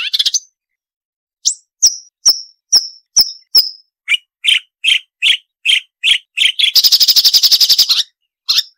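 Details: Marsh warbler song on a songbird training recording: spaced, short, high sharp notes given one by one, a run of lower chipping notes, then a fast buzzy rattle before another single note.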